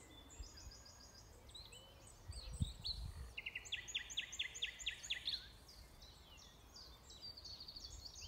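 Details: Nightingale singing at Alners Gorse, Dorset. Scattered high chirps lead into a fast, evenly spaced series of about ten loud clipped notes lasting nearly two seconds, then softer twitters, with a low thump partway through.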